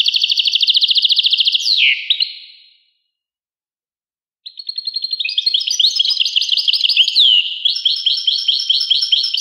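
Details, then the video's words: European goldfinch singing: a rapid, rattling buzzy trill that ends in a slurred dip, a two-second pause, then a renewed burst of quick twittering and tinkling notes in a dense, lively stream. "song Carduelis carduelis pure and Nice-Birds The song"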